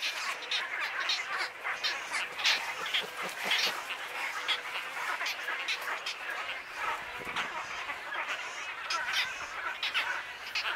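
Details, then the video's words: Wood stork chicks at Wakodahatchee Wetland, Florida, on Father's Day, giving a continuous dense chorus of harsh, raspy, noisy calls that rise and fall in loudness without pause. "Happy Father's day Wood Stork chicks"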